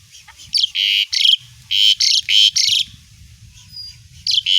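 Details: Asian pied starling singing vigorously, recorded as tutor material for other songbirds: loud, harsh, buzzy notes delivered in quick bursts of about three or four a second, with short pauses between runs and a faint low hum beneath.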